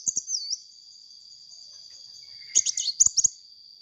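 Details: Lively sunbird used to lure others: a wavering high whistle at first, then after a pause a fast cluster of shrill chirps, all over a continuous high-pitched hum.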